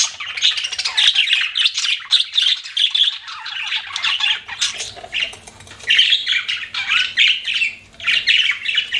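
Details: Budgerigars as pets chirp in rhythmic pulses of rapid high chatter and squawky notes, each burst about half a second, continuing throughout.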